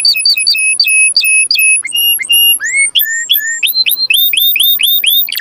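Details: Canary song meant to prompt breeding, made of clear flat whistled notes repeated in short groups, followed by a run of quick rising upswept whistles ending in a burst.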